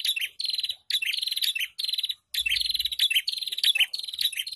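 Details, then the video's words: Bursts of high, buzzy, rapidly ticking trills, each about half a second to a second long with tiny breaks, from a prinia song played to train caged birds. "Pancingan Burung Prenjak Bahan ( Ombyokan )"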